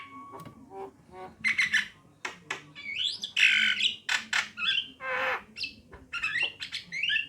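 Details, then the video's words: Female and male Javan mynas in song: a rhythmic string of loud squawks, clicks and buzzy bursts, with wavering whistles mixed through. "suara kicauan jalak kebo betina dan jalak kebo jantan"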